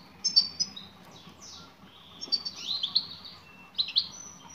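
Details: Female European goldfinch calling to a male: soft high chirps and drawn, falling notes in loose clusters, a little quieter, over faint background hum.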